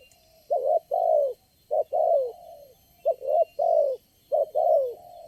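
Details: Spotted dove at a trapping site where lure birds are set out, the only wild bird calling there and responding strongly. Husky, mid-pitched coos come in paired and triple bursts, each falling slightly, separated by short pauses.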